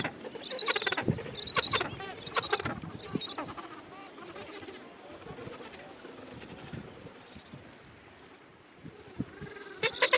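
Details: Gentoo penguin colony at the end of summer: harsh, bleating brays in quick bursts of about one per second fade into a murmuring colony background, then loud calls return at the end.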